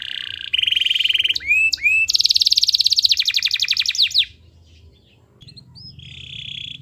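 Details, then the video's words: Canary song intended to trigger silent canaries: a buzzy rattling note, two looping whistles, then a long rapid trill of descending notes, followed by near silence and a soft distant buzz. "Kenari Gacor Yang Lain Awas ikut GACOR | Pancingan Kenari MALAS BUNYI Agar Bunyi"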